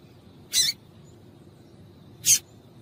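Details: Two short, high, sibilant chips from a female yellow-bellied seedeater, nearly two seconds apart, a call used to stimulate males to sing; faint steady hiss in the background.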